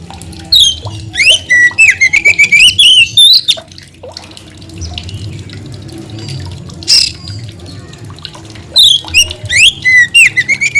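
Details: Oriental magpie-robin in vigorous full song: bursts of loud, varied whistled notes, sweeping and trilled, delivered in a rapid run, a pause with faint background, then another rapid phrase of slurred whistles.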